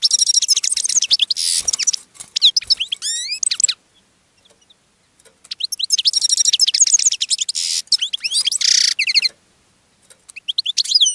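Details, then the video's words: Caged European goldfinch singing as it attracts other goldfinches. Dense, high, jingling twitter phrases run for several seconds, interspersed with rasping buzzes. They stop for about two seconds of near silence, then resume. "GOLDFINCH SINGING in a Cage and Attracting Other Goldfinches"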